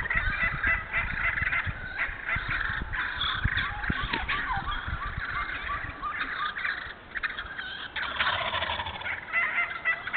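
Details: Several wild turkeys in a logged hardwood-savanna stand in Moore County, North Carolina, calling over one another in a dense, rattling jumble of gobbles and yelps, with low knocking sounds underneath.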